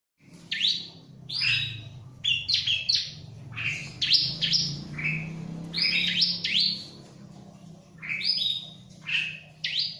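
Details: Bar-winged prinia, described as unbothered by a myna and singing vigorously, gives bursts of high, sharp chirps and short downslurred whistles in quick clusters separated by brief pauses, with a faint low hum underneath.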